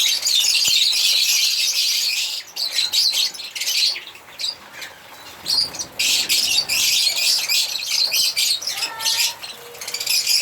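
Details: African lovebirds chatter and squawk in shrill, harsh bursts separated by short pauses, with a few clearer whistled squeaks near the end.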